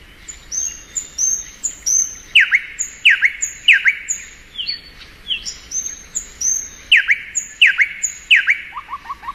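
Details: Thrush nightingale in spring, singing long sequences of high thin whistles broken by loud, sharp downward-whipping notes in pairs, with a short run of low, quick notes at the end.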